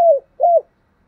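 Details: Brief fragment of spotted dove 'thúc gù' cooing in the 'giọng đồng' style: two low, smooth notes, each sliding slightly downward, separated by a short pause.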